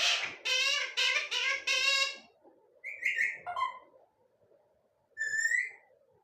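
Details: Parrot talking non stop, giving a quick run of four loud, rasping, speech-like syllables. Shorter bright phrases follow, then a pause and a final high rising squawk over a quiet indoor background.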